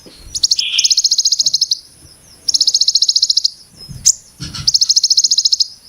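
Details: Dense, sharp "Brem Ciblek Gunung" phrases from a plain-throated sunbird. Three fast, high rattling trills of even notes run over a second each, separated by short gaps with a quick chirp and soft low knocks.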